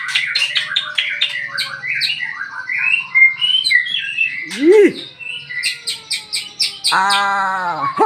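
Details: Morning lure song of a house-kept magpie-robin: fast varied chirps and trills, one swooping squeal, and a harsh harmonic squawk near the end.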